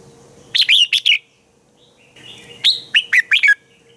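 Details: Red-whiskered bulbul singing in the morning, a recording meant for training other bulbuls to sing: two bursts of rich, slurred whistled phrases, each four quick notes, separated by a short pause, with a faint steady hum behind.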